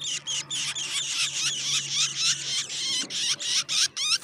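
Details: Black drongo feeding insects to its chicks in the morning: shrill, squeaky chattering notes in quick bursts, about four each second, high-pitched and harsh, with a faint low hum beneath.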